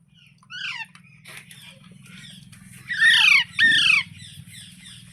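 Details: Parrot giving a few thin falling calls, then two loud raspy screeches close together, over a constant low mechanical hum.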